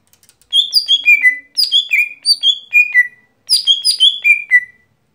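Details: Lesser green leafbird, the gotri, in daily song: three descending cascades of bright whistled notes, each of five or six notes falling from high to mid pitch, separated by short pauses.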